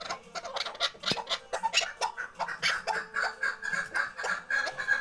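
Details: Tethered chukar partridge from the Khoja Mumin salt mountain, kept for hunting, heard more faintly in a quick, uneven run of clucking notes, partly blurred by background noise and scattered clicks.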